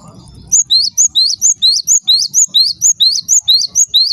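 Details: Following a short noisy opening, a Java sparrow repeats piercing upswept chirps at a steady pace near two per second, a call said to make other Java sparrows call out; low rumble beneath.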